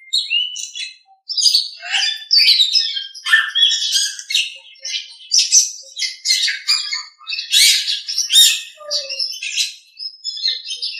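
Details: Master recording of a Nias hill myna used to train other birds: a dense, continuous run of varied chirps, squawks and bright whistled notes, with a brief low whistle near the end.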